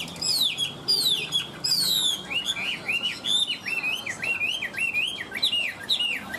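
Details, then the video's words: Caged Chinese hwamei in continuous song, opening with high descending whistles then a fast run of short looping, bouncing notes, rich and varied, with little else audible. "Họa mi hót như máy - Hót ko bỏ mỏ"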